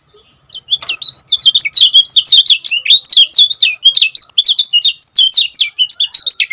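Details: Kecial kuning (Lemon-bellied white-eye) of the Lombok type delivering dense, speedy chattering song. High twittering phrases with quick rising and falling slurs follow one another continuously for nearly six seconds after a brief faint note, in a quiet background.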